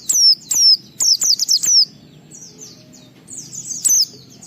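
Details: White-eye song to provoke other white-eyes into singing: a rapid series of loud high whistled notes sliding downward, then quieter distant twitters and one final sharp note.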